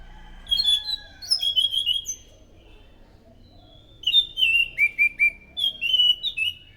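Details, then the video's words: Anis macan thrush in loud, energetic song used as a lure: bright whistled phrases, sharply slurred and warbled, given in bursts of three to five notes with a quiet gap of about two seconds between bursts. "PANCINGAN BUNYI BURUNG ANIS SANGAT EFEKTIF, SUARA ASLI ANIS MACAN GACOR TEMBAKAN SUARA NYARING!"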